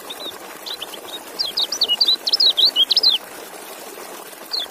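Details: Kecial (white-eye) song building from scattered high chips into a dense, rapid warble of zigzagging whistled notes lasting over a second, ending with one lone note, over faint hiss.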